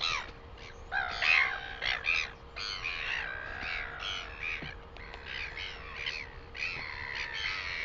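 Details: Northern royal albatross in New Zealand, 12 August 2020: a rapid jumble of squawking, braying notes of varied length, loudest in the first two seconds, then softer overlapping calls, with a faint hum.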